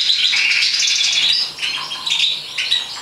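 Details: European goldfinch from a breeding setup in Morocco, singing a rapid, dense twitter of high chirps and short slurred whistles, loud and continuous for about a second and a half, then softer, broken notes with brief pauses.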